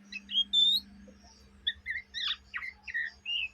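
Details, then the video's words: Young Oriental magpie-robin chatter, day and night: a clear high whistled note, then spaced buzzy chirps and slurred calls about every half second, over a low electrical hum. "kacer bahan ngriwik siang malam"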